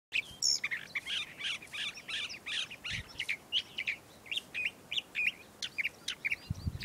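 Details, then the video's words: A California Thrasher (Toxostoma redivivum) sings in spring at Montana de Oro State Park, California: a long, rich run of varied phrases, harsh notes mixed with clear whistles, each phrase about a third of a second, with little pause between. "Calif Thrasher Song"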